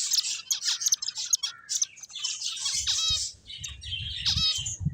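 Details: Finches chirp busily while playing: bright, sharp tweets and brief rattling trills tumble over one another, some notes sliding downward, and faint low knocks join near the end.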